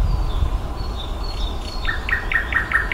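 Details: Nightingale song in May: thin high whistles, then a series of about six loud repeated notes, all over heavy low rumbling noise.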